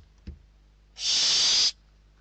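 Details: A single strong rasping hiss from a barn owl chick in a Spanish nest box as young fight over a delivered bird, lasting close to a second after a faint click.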